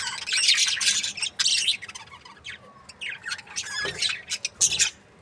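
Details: Happy breeding pair of budgies giving rapid scratchy chirps and warbling squawks in uneven bursts, with brief pauses and quieter twittering between louder phrases.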